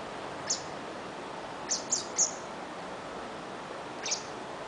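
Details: Fledgling blackbird following its mother and loudly squeaking hungry demands: five thin, very high squeaks, single or paired, spaced irregularly over about four seconds against a quiet background hiss.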